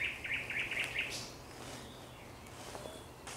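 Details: Thrush nightingale at sunset, 30 May 2021: a quick series of five or six bright, knocking notes, followed by near silence with faint background noise.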